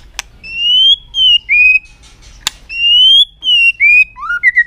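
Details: White-rumped shama singing with a tail-flicking display to excite other birds: long, pure whistles that rise slowly, then step down. A sharp click breaks the phrases, and a lower whistled flourish closes the clip.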